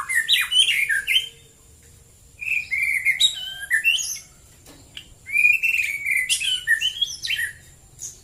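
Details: White-rumped shama singing in the morning, several bursts of varied whistled and warbled phrases, notes jumping up and down, with silent pauses of about a second between phrases.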